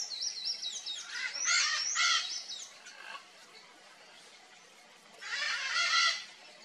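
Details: Red-and-green macaw at its nest, giving a burst of harsh, raspy squawks over the first three seconds, a quiet gap, then another loud grating call near the end; thin whistled notes from other birds sound at the start.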